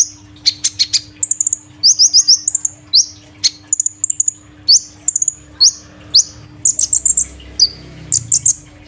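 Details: Loud song of a caged kolibri ninja sunbird three days after changing cage: a dense, continuous stream of very high, thin chirps and tweets, some stuttered in rapid groups, with a soft background hum.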